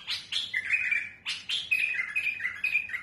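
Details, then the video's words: A trained bulbul with a smooth yet harsh voice, used to tutor chicks for shows, sings a rich fluty phrase: two sharp rising notes then a warbling run near upper-middle pitch, repeated twice. "بلبل المطوعة سلسة وصوت خشن رهيب"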